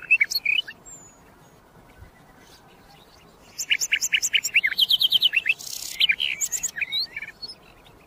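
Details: Common nightingale (sikatan londo) gives a few rapid notes, then after a quiet spell a long run of loud repeated notes, a higher rattling series, and a harsh noisy burst.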